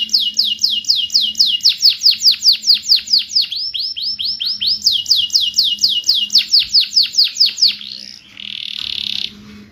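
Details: Canary song played to stimulate canaries that have stopped singing: fast trills of repeated sweeping high notes, about two per second, shifting between phrase types, ending in a brief buzzy burst.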